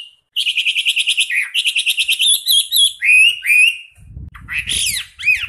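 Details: Hwamei performing rapid rolling song meant as a tutor for other songbirds: quick even trills of repeated notes, slurred downward whistles in the middle, then sharp upswept notes over low thumping noise.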